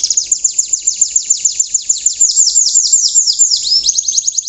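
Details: Young untrained canary giving its rough 'riwikan' song, described as a tutor for other canaries to imitate: a rapid, fairly even trill of high downward-sweeping chips, about three per second, shifting into slower slurred notes near the end.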